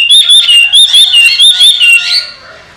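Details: Chinese hwamei, a trained pet bird kept in a cage, delivering a rapid run of loud, clear whistled notes, about a dozen rising-and-falling phrases in two seconds before fading away.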